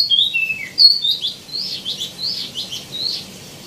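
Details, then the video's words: Wambi mini (tieumi) singing a lively phrase. Thin high whistles slide downward, then a series of arched, swelling notes follows at about three per second. "KICAU BURUNG WAMBI MINI ( TIEUMI ) GACOR | ISIAN MELIMPAH"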